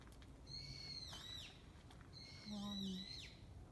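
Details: Bird calling in Kamakura: two drawn-out, whistled, harmonic-rich notes that hold level, then dip and slide at the end, over a low background rumble.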